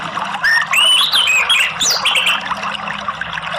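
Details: Anis merah, the orange-headed thrush, in a therapy recording to boost breeding drive: a rich warbled run of rising and falling whistles and quick slurred notes, fading out into steady loud background hiss.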